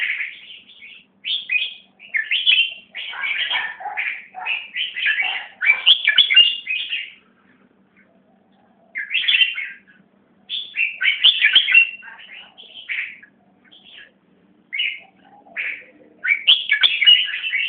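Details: Greater racket-tailed drongo song, labelled แมวน้ำ, sung together with a second bird performing the same song. Long runs of rapid mixed whistles, chirps and harsh notes, broken by brief silences and then resumed.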